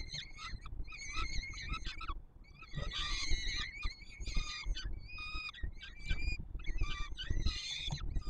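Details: Peregrine falcon chicks on the Palace of Culture and Science nest in Warsaw, July 2022, begging while the male feeds them: repeated strident, wheezy screams in bursts roughly every second, with steady low rumble beneath.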